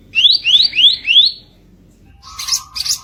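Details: Kicap ranting bird used as a masteran training recording in the rough 'kicau kasar' style: four rapid rising whistled sweeps in quick succession, a short pause, then harsh buzzy bursts.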